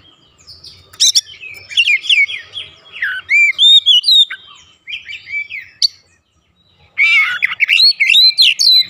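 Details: Oriental magpie-robin singing to provoke other birds at home into replying: mixed whistles, slurred up-and-down notes and scratchy chatter, a quiet pause near six seconds, then a loud burst of rich warbling.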